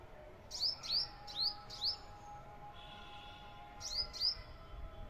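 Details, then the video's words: Garden sparrow giving a short run of four high, clear chirps that drop in pitch, then a pause and two more similar chirps, over a faint steady hum. "sparrow chirping sound"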